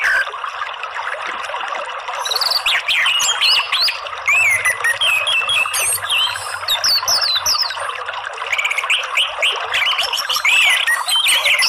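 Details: An orange-headed thrush (Geokichla citrina), a kept songbird whose basic song is used as therapy for others of its kind, sings a rich, varied run of high whistles, trills and quick chirping phrases.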